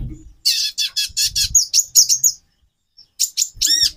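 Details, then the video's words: Captive female konin calling to stir a male's mating drive: a run of sharp high chirps, then a pause and a few squeaky, bending notes. "Burung Konin Betina 4x terapi birahi. menaikan birahi jantan"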